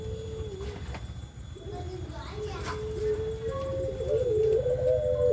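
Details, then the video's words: Turtle dove (puter pelung) calling a long, continuous low coo that holds steady and then wavers and lifts slightly near the end, over a constant low background hum. "Begini Bunyi Suara Burung Puter Pelung"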